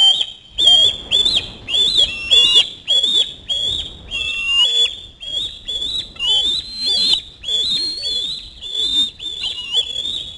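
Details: Screaming osprey chick as a parent brings a small fish to the nest; repeated high whistled screams with rising and wavering inflections, about one every two-thirds of a second, at moderate loudness.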